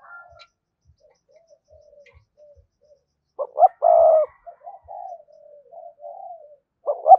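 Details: Quiet, soft cooing runs for three seconds, then one loud spotted dove phrase of two short notes and a long hollow coo, followed by gentle trailing coos and a final strong note; the voice is used to lure wild doves.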